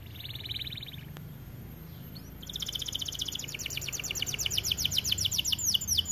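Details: White AF canary singing vigorously: a faint, fast buzzy trill first, then after a pause a loud run of quick, repeated downslurred whistles that grows stronger, over a low background hum.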